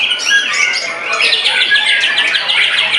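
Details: White-rumped shama singing hard just after its molt, described as in a frenzy and overpowering its opponents. Whistled, slurred phrases give way to a fast, chattery run of sharp notes, with other birds calling densely behind.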